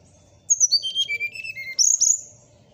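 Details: A morning phrase from a Brown-chested Jungle Flycatcher: a cascade of whistled notes sliding downward, ending with a pair of bright, high, slightly buzzy notes.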